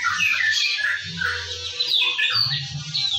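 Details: Morning white-rumped shama song, used to coax birds into singing: smeared, rich warbling phrases at high pitch, continuous for three seconds, with a steady low hum beneath.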